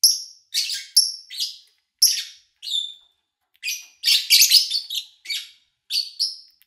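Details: Lovebird flock chirping, recorded in August 2019 while human activity and engine noise were low: bright, high twittering notes and buzzy squeaks in quick bursts, some overlapping, separated by short silences.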